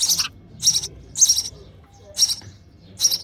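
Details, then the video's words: Hungry baby sparrow chirping for its mother as she feeds it in the nest; five sharp, high, raspy chirps in quick bursts, spaced about half a second apart with a short pause. "Hungry Baby Sparrow: Sparrow Mother Feeding Their Chick in The Nest With Baby Sparrow Chirping Sound"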